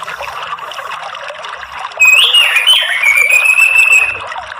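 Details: Orange-headed thrush song used as a lure to get other birds singing: after two seconds of quiet water-like trickle, a loud high whistled phrase with a warbling twist settles into a sustained bright trill over steady background hiss.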